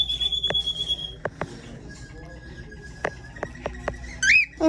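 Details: A baby cockatiel, one of three brothers, gives thin, steady whistles and a few quick rising-and-falling chirps, with soft human murmuring nearby.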